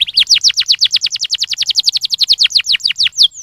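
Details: Canary song meant to stimulate singing: a rapid, steady trill of sharp downward-sweeping chirps, about ten per second, high and bright, with no other sounds.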